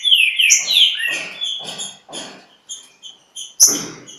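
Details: A green-winged saltator at Pedra Azul disputing with a free bird opens with strong, sliding whistled phrases, then gives short spaced notes with high chirps, ending in a sharp loud burst.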